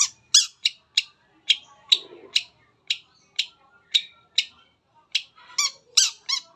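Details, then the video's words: Long-tailed shrike singing to lure other shrikes into song: a steady string of crisp high chips, roughly two per second, ending in a few richer harsh notes. "PANCINGAN CENDET APAPUN CEPAT BUNYI"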